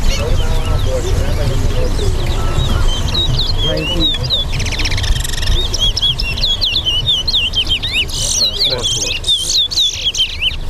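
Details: Chestnut-bellied seed finch (towa towa) song at a bird race in Lusignan, Guyana, with counted notes: quick, bright whistled notes and slurred chirps in rapid succession, over steady murmuring voices and crowd noise.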